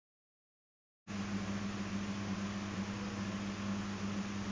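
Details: After a second of silence, a steady mechanical hum like a fan or engine sets in, with a low droning tone and no animal voices.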